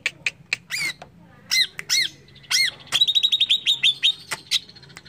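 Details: Greater green leafbird provoking song meant to make other birds quickly agitated: short sharp chips and arched, slurred whistles lead into a rapid, rattling series of high ringing notes.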